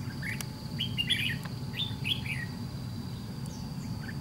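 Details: Red-whiskered bulbul, white-cheeked type, during trap fighting with a decoy bird; three or four clipped, warbling chirp phrases early on, then mostly quiet with a low droning background.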